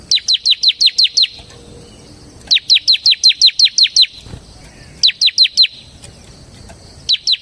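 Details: Bar-winged prinia, semi type, singing continuously in ngebren fashion for luring and tutoring birds. Rapid trains of high, thin, falling notes come in runs of seven, nine and six, then a short fresh start, with quiet gaps between.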